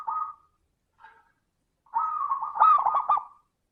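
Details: Zebra dove singing to encourage other doves, crystal-toned: a brief coo, a faint note, then a long trilled phrase ending in loud rapid bubbling pulses.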